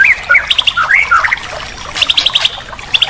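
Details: White-rumped shama training recording meant to get a bird that has stopped singing to sing again, with rich filler phrases: clear rising and falling whistles, then bursts of fast high trills, with a faint watery hiss behind.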